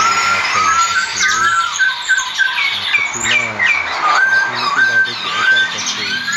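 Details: Sooty-headed bulbul kept in a cage around Semarang, singing clear whistled notes, several level or slightly rising, repeated at short intervals, while a man talks throughout underneath.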